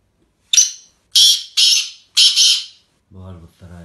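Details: Black francolin of the Sindhi type calling: a short harsh opening note, then three longer grating, buzzy notes at even spacing. A low voice-like sound follows at the end.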